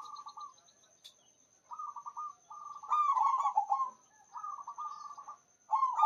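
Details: Local zebra dove singing eagerly with a big, long voice: a series of fast, bubbling cooed phrases in quick succession, some running together, with faint high chirps and a constant thin high-pitched hum behind.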